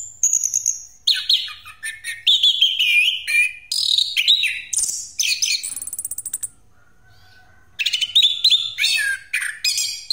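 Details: Orange-headed thrush singing in the rolling 'ngeroll' style, used as a lure for other birds; a fast, rich run of varied whistles, slurred high notes and harsh buzzy phrases, with a short low steady tone and pause mid-way before the outpouring resumes.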